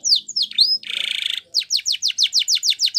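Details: Training song of a Spanish Timbrado yellow canary: a few sharp swooping whistles, a dense buzzing trill lasting about half a second, then around nine rapid downward-slurred notes.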